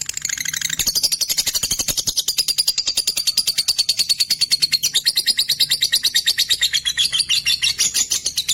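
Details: Caged lutino opaline lovebirds in a colony chatter in fast, shrill, high-pitched chirps, about three a second, in an unbroken stream with no other clear sounds.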